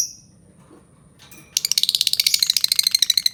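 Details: Albino lovebird giving a fast, shrill chattering run of high chirps, about three per second, after a short quiet start with a single sharp note; indoor room hum underneath.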